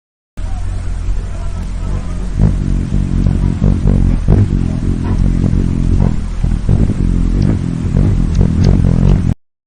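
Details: A low engine rumble with clattering, like a vehicle revving, fills the whole stretch with no animal calls.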